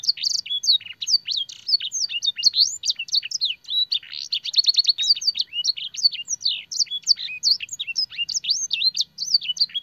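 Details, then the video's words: Canary singing a lively master song for training canaries, filled with blackthroat and sanger phrases: a dense, unbroken stream of high whistled notes, sweeping slurs and quick rattling trills packed close together throughout. "burung kenari gacor isian blackthroat dan sanger - suara masteran burung kenari"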